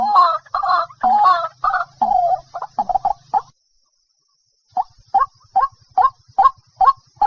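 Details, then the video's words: Bursts of gabbling, hoarse notes from a white-breasted waterhen, or dahuk, followed by a silence and then a steady run of short 'ruak' calls about twice per second. "dak pakhir dak.suara ruak ruak. waterhen sound.ডাউক পাখির ডাক ডাহুক পাখির ডাক"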